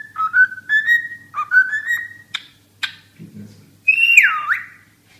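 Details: Cockatiel whistling rising notes, then a few sharp clicks, and finally one long whistle that swoops down and back up.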